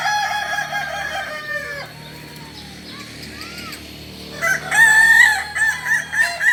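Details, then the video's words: A Kokok Balenggek, a West Sumatran village chicken whose crow rises through many levels, ends a falling crow, gives soft looping notes, then launches a clear held note followed by a rapid train of stepped pulses. "Ayam kukuak balenggek ayam asli solok sumbar"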